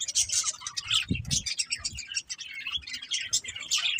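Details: Budgies produce a lively stream of high chirps and twittering warbles, with a low thud just after one second.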